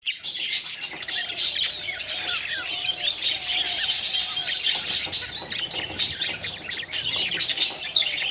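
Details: Budgerigars chattering together in a dense, continuous high warble of overlapping chirps and squeaky notes, with no pauses and no single bird standing out.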